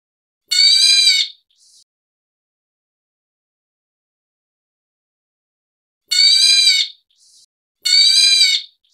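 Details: Black Bulbul of the white-headed form, a Taiwanese subspecies, giving three harsh, nasal, cat-like mewing calls, each under a second. One comes alone, then a quick pair follows after a pause, with near silence between.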